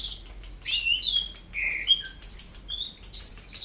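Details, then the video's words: Orange-headed thrush singing in the teler style, from a long tutor recording: a short burst of clear whistled phrases, some sliding downward, others jumping to high thin notes, in quick succession. "BURUNG ANIS MERAH TELER"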